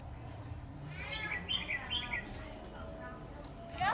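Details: Red-whiskered bulbul used as a decoy bird while trapping, giving short warbled, bubbly phrases of rising and falling notes over about a second, against a low background rumble and a brief sharp sound at the end.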